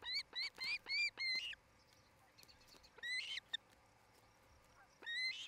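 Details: Osprey on its nest in Charlo, Montana, watched by a cam early in the evening of 8 July 2018: a quick run of ringing upslurred chirps, silence, then two shorter chirp groups.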